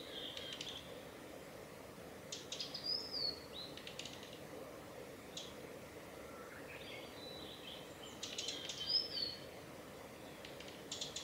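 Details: A male Blue-and-white Flycatcher on the Mizusawa forest road, Tanzawa, Japan, on 8 June 2020 gives soft, dry ticking call notes and a couple of thin, high whistles over a steady background hiss.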